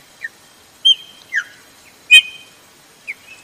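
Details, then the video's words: Chopi blackbird female giving her calls to stir up males: clear whistled chirps and brief downslurred notes, one louder sharp note near the middle, about five calls in quick irregular sequence against a faint high hiss. "FÊMEA DE" PÁSSARO PRETO " chamado muito/PIADO DE FÊMEA PARA DEIXAR SEU PÁSSARO PRETO LOUCO"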